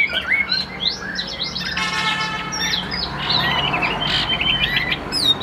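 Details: Caged Chinese hwamei, Tam Hoang type, calm and even-voiced, singing bursts of rapid twisting whistles, broken briefly by a harsher buzzy, harmonic-rich note before the fluent phrases return.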